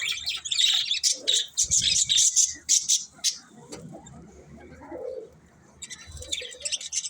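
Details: Budgies chirping: bursts of bright, scratchy high chatter for the first three seconds, a quieter stretch with soft low sounds, then chirping resumes near the end.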